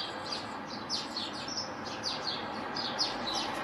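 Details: Great tit singing on 6 April: high, thin notes sliding downward, given in quick repeated runs of two or three, with a steady soft background hiss throughout.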